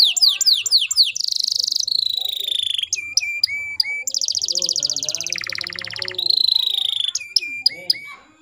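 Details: Domestic canary, a female-canary lure sound used to prompt young untrained males to sing. Rapid sweeping high notes open into buzzy rolled trills, then a steady falling trill, clipped chips and a closing sweep.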